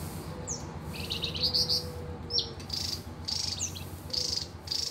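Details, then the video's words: Javan tesia singing in the ngebren style: short buzzy high-pitched bursts, some with tight rattling notes, mixed with quick downslurred whistles, over low steady background hum. "TESIA JAWA Ngebren"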